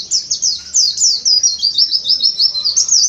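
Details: Oriental white-eye, a kept bird, in tembakan ziper sambung kolibri muncang song style: a rapid, continuous string of high, thin chirps, each a quick downward-slurred note, repeated about three per second with little pause.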